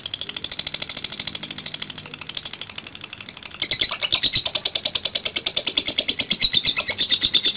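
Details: Lovebird giving a long ngekek chatter: a fast, continuous run of high, dry trilled notes, softer at first, then louder and slightly descending from the midpoint, held without a break to the end.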